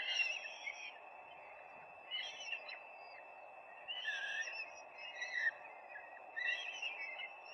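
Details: Peregrine falcons at their nest, filmed live on 4 May 2025: harsh, raspy bursts repeated about every two seconds, each lasting under a second, over a steady low hum of background noise.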